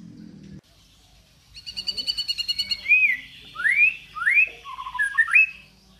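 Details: Murai batu, the white-rumped shama, in tembakan and isian song. A low rattle opens, then a rapid pulsed high trill runs about a second before bold upward-swooping whistles and lower fluty notes.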